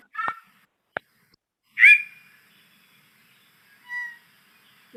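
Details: A Yellow-breasted Chat gives a disjointed string of odd, laugh-like notes: a harsh chuck, a sharp click, a bright swooping whistle, then a nasal, mewing note, spaced by pauses.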